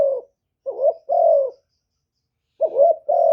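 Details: Spotted dove used as a decoy bird to provoke wild doves, giving its one-ending coo: quick rising notes run into a longer, level-then-falling coo, repeated twice in a quiet setting.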